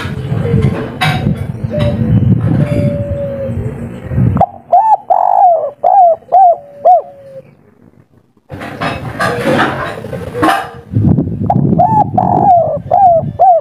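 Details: Spotted dove with a local wild voice in the three-note kuk 3 style, cooing a rapid series of soft, hooked notes, with loud rustling and clattering bursts between the cooing runs.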